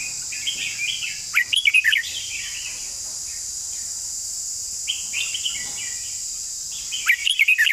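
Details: Red-whiskered bulbul long song with beautiful phrasing. Two bursts of rapid, loud whistled notes are separated by softer, quieter warbling phrases. The bursts are about five seconds apart, over a continuous high-pitched hiss.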